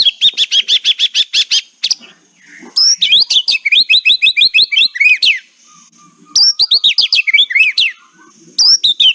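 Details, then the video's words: White-rumped shama singing in the kretekan style, played as a lure to get silent shamas singing: a run of rapid rattling notes, then bursts of sharp whistled phrases with rising and falling sweeps, separated by short pauses. "100 % KRETEKAN MEMBUAT MURAIBATU GACOR LOSSS...... COBA SOLUSI BURUNG MURAI MACET BUNYI"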